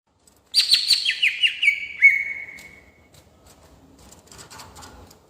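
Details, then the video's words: Greater green leafbird, a kept songbird in a rolling singing style used to provoke other birds: a rapid burst of bright chattering notes descending into a long falling whistle, then quieter scattered chirps. "Cucak Ijo Gacor Gaya Ngerol Cocok Untuk Mancing Emosi"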